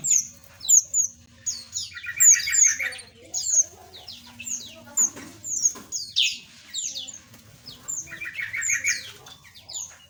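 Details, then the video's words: Small birds in an aviary, with crisp high tweets alternating with buzzy, stuttering trills in lower clusters, in pulses roughly every second. "Suara Burung Asli - Jenis Burung Aviary Kecil"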